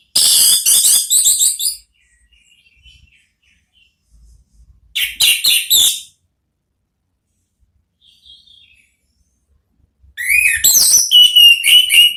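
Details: Orange-headed thrush therapy song in the ngeplong style, used to lure a thrush into answering: three loud bursts of rapid, piercing high notes, each lasting one or two seconds, separated by quiet gaps with faint twitters.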